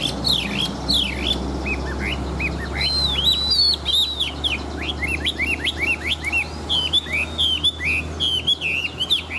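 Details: Large-bodied, old wild-caught Chinese hwamei kept as a fighting bird with a wild voice, pouring out varied loud whistled phrases, swooping and looping notes in rapid succession over a steady low mechanical hum.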